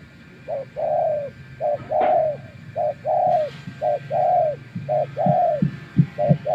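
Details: Wild spotted dove answering a decoy with a steady run of about six coo pairs, a quick short note followed by a longer mellow one, over low thumps and clicks.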